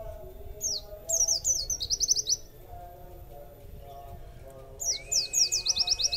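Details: White-eye kept in a cage and fed extra food, singing in quick bursts of high, thin, downslurred notes, with a short pause before another rapid chattering run; a faint low hum underneath.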